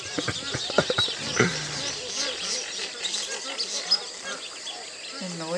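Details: At dawn in August 2010 at Fogg Dam, Northern Territory, a dense flock of magpie geese (Anseranas semipalmata), fighting and upsetting Radjah shelducks, keeps up a constant chorus of overlapping honks, with ducks and a person talking faintly behind.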